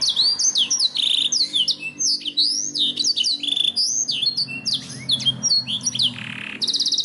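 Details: Black-throated canary, a caged pet bird, singing a continuous fast varied song of high whistled sweeps, rising and falling slurred notes and short buzzy trills, ending in a rapid trill; faint low room hum beneath.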